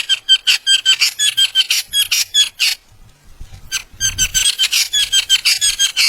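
Ashy bulbul giving harsh, rasping notes, nearly three a second, pausing briefly midway before resuming; a faint low rumble fills the gap.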